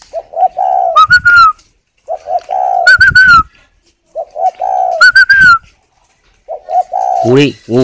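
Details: Spotted dove incubating eggs in a captive bird garden in Ba Vì, Hanoi, Vietnam, cooing steadily: three similar phrases of soft low hoots ending in a higher drawn note, about every two seconds, then a brief human voice.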